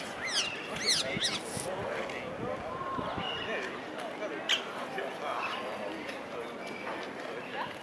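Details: Rose-ringed parakeets at their nest in a tree in Vondelpark, Amsterdam, give a burst of harsh, shrill screeches in the first seconds, then scattered squawks over people talking and city hum.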